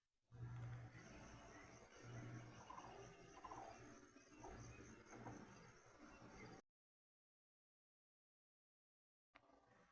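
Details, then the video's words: A Nacunda Nighthawk pair flying and hunting insects by day just after rain in Brazil gives low, hollow notes about every second over a steady hiss, before the sound cuts out. "Vamos ouvir o corucão."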